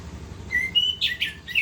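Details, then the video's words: Short snatch of orange-headed thrush song in gacor style: two sustained clear whistles, the second higher, followed by quick louder chirpy notes, all high-pitched against soft low hum. "Anis kembang gacor ngerol"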